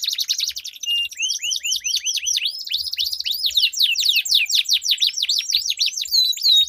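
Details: Two canaries dueling with a melodious long-rolling song used as a lure for silent birds. Quick chattering trills lead into steady series of hooked, upswept notes that repeat rapidly throughout.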